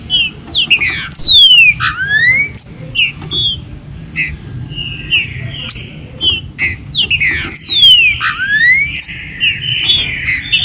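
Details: Green-winged saltators kept in captivity, warm-up recording for the 2022 season to excite birds: two bursts of sharply falling, harmonic-rich swoops separated by steady held whistles and clipped chirps.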